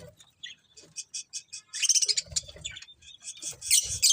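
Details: Several budgerigars chirp in bright, high, rapid notes: short evenly spaced tweets at first, then a dense overlapping burst of warbling chatter, with soft low thumps beneath.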